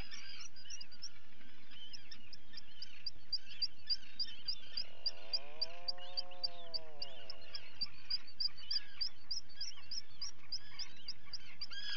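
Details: Common guillemot chicks at a breeding colony, being fed, 28 June 2020, live camera recording. A fast, regular stream of sharp high peeps runs under hoarse colony chatter, and a smooth swooping tone rises and falls midway.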